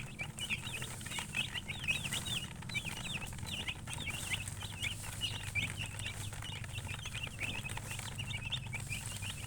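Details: Shrill chirps from colour chickens with a hen: crisp, sharply falling peeps repeated rapidly and steadily, often in pairs or triplets, over a faint low droning background.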